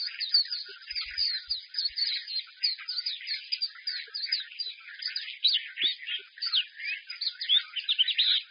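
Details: Caged white-eye in full loud song while its cage is held: rapid, rich warbling of many bright syllables that includes song phrases such as xiao xu, swallow-like and sparrow-like notes, unbroken for over eight seconds.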